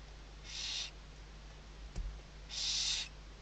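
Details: Western barn owl at a nest with chicks under the mother's wings, Riet Vell Nature Reserve, Ebro Delta, Tarragona, Spain, 2023 season, nest webcam: two harsh, breathy hissing screeches, each under half a second, about two seconds apart, with a faint knock between.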